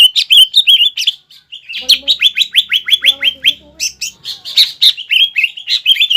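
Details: Green leafbird kept in captivity delivering aggressive, imitation-rich song aimed at angering rivals: fast, uneven chirps at roughly three per second, with a faint lower whistled phrase in the background.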